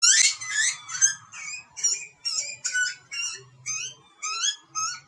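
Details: Australian wild butcherbird young begging while being fed by parents, giving rapid, piercing, upslurred screeches about twice a second, with a faint low hum underneath.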